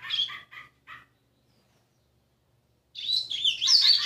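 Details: Young caged rusty-collared seedeater, six months old, trying its first Tui Tui notes: three short stacked chirps, then silence, then a dense, high, warbling twitter rising and falling to the end.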